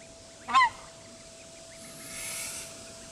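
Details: Emperor goose uttering one clear, slightly falling honk with a ringing overtone, followed by soft hiss and a steady low hum.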